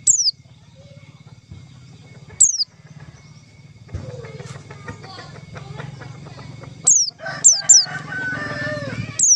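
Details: White-eye calling as a trapping lure: six scattered, thin, high downslurred whistles, some in a quick pair, over a steady low engine-like hum with bursts of mixed lower chatter.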